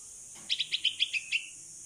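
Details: Female bulbul chick, 16 days old, hand-raised after a fall from the nest, begs for its mother while learning to fly in the open: one run of about eight sharp high chirps, the final note drawn out and slightly falling.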